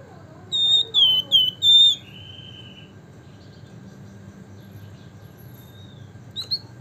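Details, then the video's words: Javan fulvetta, known as flamboyan or wergan jawa, giving nyiul-style song: four clear, pure, high whistles in quick succession, then one long, slightly lower whistle. Near-silence follows, broken by one faint note. "flamboyan gacor nembak ngebren nyiul - wergan jawa/Javan fulvetta"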